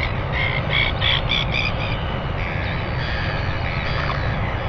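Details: A northern royal albatross gives harsh, nasal squawks in quick bursts for about two seconds, then quieter calls, over a steady roar of wind; nest camera, 25 December 2019, 5:57 a.m.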